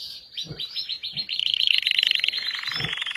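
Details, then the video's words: Short burst of red Belgian canary song: a dense, fast, high trill that rolls steadily, with a few soft low knocks underneath. "Burung Kenari Merah Belgia"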